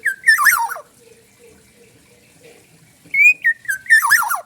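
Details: Black-naped oriole from Bali, a forest bird in loud song: a harsh descending flourish, a quiet gap with soft low background noise, then a clear rising whistle, slurred notes and another buzzy tumbling end.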